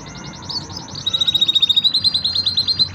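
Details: Five canaries in a training song, their rapid chattering trills overlapping, while a steadier high whistled trill runs through the middle of the phrase.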